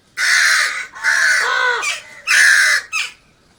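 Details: Crow calling with three long, grating caws followed by a brief clipped one, loud and coarse, in under four seconds.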